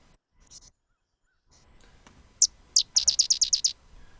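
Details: Sedge Wren, a secretive marsh bird, giving its very high, buggy song: a couple of thin, very high introductory notes, then a quick dry chatter of about eight insect-like notes.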